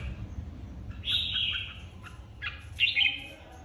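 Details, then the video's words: Red-whiskered bulbul flock leader in a new aviary, competitive singing: a sustained bright whistled phrase, then a second rich warbled phrase about two seconds later, with low background rumble. "Chào mào đầu đàn mới tách avi ra ( chào mào hót đấu)"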